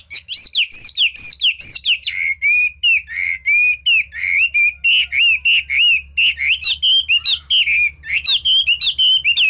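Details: Hwamei singing nonstop with frequent switches of voice: a dense stream of loud whistled slurs, swoops and quick notes, with hardly any gap.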